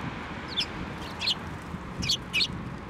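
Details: Eurasian tree sparrows flying onto a hand to take food at a Tenmangu shrine on 7 November 2023; four loud, clipped chirps, the last two in quick succession, over quiet low background hum.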